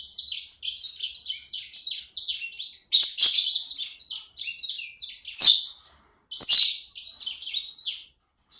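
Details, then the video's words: Small pet songbird singing continuously indoors: a rapid, high chattering warble of short twittering phrases, loud and varied, with brief pauses near the end. "Burung sanger ku ( sikecil gacor )"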